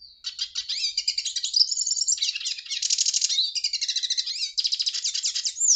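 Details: Hooded siskin (pintassilgo, Spinus magellanicus) singing a long, fast, continuous twittering song of high chirps, trills and buzzy rattles with quick rising and falling whistled notes, sustained without pause; no other clear sounds.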